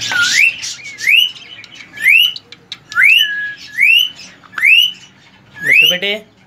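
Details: Three-year-old male ring-necked parakeet, semi hand tamed, kept as a pet, whistling: a clear rising then falling whistled phrase repeated about once a second, six times, with brief harsh chatter between phrases.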